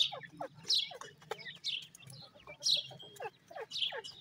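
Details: Grey francolin chicks (dakhni teetar) calling: high, thin peeping notes, some sliding downward, come in small bursts about every second, with softer lower chirps between them and a faint low hum underneath.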